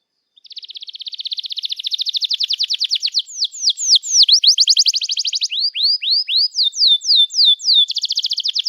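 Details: Canary in long, vigorous song meant to stimulate young canaries to sing. A fast buzzy trill builds for several seconds, then shifts to falling whistled notes, another rapid trill, upward-curving notes and a final buzzy rattle.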